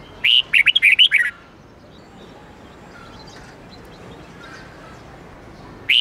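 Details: Red-whiskered bulbul giving its 8-9-10 note twisting training song: one quick phrase of about eight loud, slurred, whistled notes, then several seconds of quiet hiss before another phrase begins at the very end.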